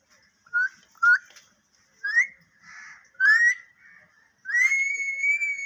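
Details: Pet parrot talking, heard as short rising whistled notes near two thousand cycles, spaced irregularly, then a long level whistle held for over a second; a quiet indoor room with no other voices.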